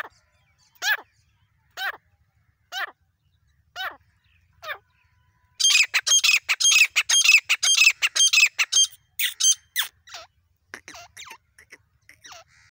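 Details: Female grey francolin, the desi teetar of Pakistan, giving spaced single falling notes about once a second, then bursting into a dense series of harsh, rapidly repeated notes that trail off into scattered calls.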